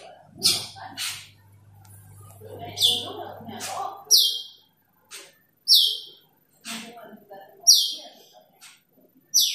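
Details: Calling to a rival, an Asian glossy starling repeats bright, metallic, falling high notes about once a second, with a low hum and some faint talk early on.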